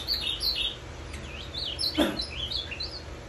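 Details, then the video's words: Ultramarine grosbeak, back from a three-day bus journey the previous night, delivering its azulão macaco song: bouncy whistled notes sweeping up and down, interrupted midway by a brief broadband knock. "Azulão macaco canta muito"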